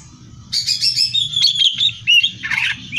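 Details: Greater green leafbird song for competition training: a dense burst of bright twittering and slurred whistles, a clear high whistle near the end, over a low background hum.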